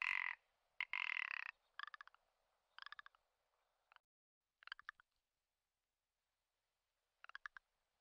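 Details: Lekking Commander rock ptarmigan, subspecies ridgwayi, in spring within the Komandorsky Nature Reserve. Opens with loud, harsh, buzzy croaks, then settles into a series of short clicking rattles repeated about once a second, fading to sparse bursts.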